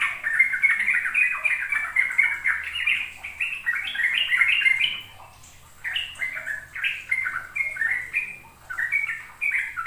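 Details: Sooty-headed bulbul ropel song used to lure young birds into learning: long run of quick bubbling whistles, a brief lull near five seconds, then further spaced downslurred phrases with pauses.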